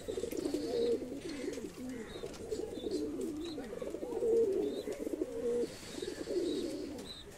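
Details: ['Many fancy pigeons kept in a loft coo together in a busy, continuous mass of low burbling, warbling coos. Faint higher chirps are scattered over it.']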